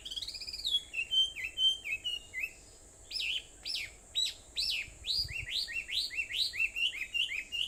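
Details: Sendai's Aobayama at 4:30 on a 21 July 2014 morning: a bird sings short slurred notes, pauses, then repeats sharp, down-sweeping notes in a steady rhythm, about two a second.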